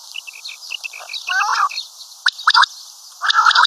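Common quail giving sharp, clipped notes in a quick group of three, with fuller bursts before and after; a faint series of short high chirps runs underneath.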